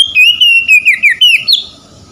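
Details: Oriental magpie-robin (kacer) song aimed at restoring stressed birds to singing: a rapid chain of rich whistled notes with swooping slurs, ending in a higher buzzy flourish that fades to quiet.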